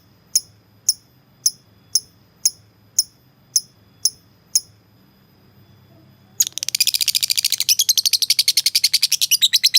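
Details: Lovebird calling a rival: sparse single sharp chirps about every half second, then a sudden burst of dense, rapid, harsh chattering ngekek notes to the end.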